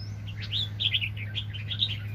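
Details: A wild-caught red-whiskered bulbul at a 2020 bird trapping gives a quick run of bubbly, chirped notes in a high, bouncing phrase, over a steady low mechanical hum.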